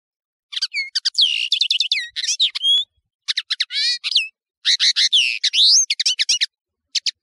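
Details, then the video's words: A European serin sings a fast, high, jingling song of glassy buzzy trills and sharp chirps, delivered in rapid bursts with brief pauses. "تغريد طائر التفاحي"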